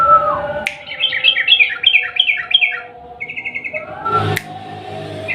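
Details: Sooty-headed bulbul lure song to set off a quiet bird, long rolling style; a sliding whistle opens, then a fast run of falling chirps, a short rattling trill, a knock and more twittering.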